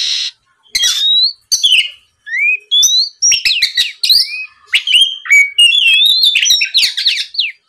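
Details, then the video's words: Oriental magpie-robin in full 'gacor' song, used as a lure to provoke rival birds into answering. Varied whistled phrases rise and slur between notes, broken by harsh rasping bursts and short pauses. "TERAPI MEMANCING KACER LAWAN AGAR LEKAS BUNYI NYAUT & GACOR, SUARA PIKAT BURUNG KACER GACOR NGEPLONG"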